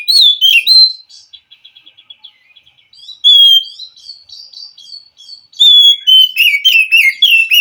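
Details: Wild white-rumped shama responding to a captive bird that will not sing: loud falling whistles, a run of fast soft ticking notes, then bursts of rapid warbling phrases repeated several times a second.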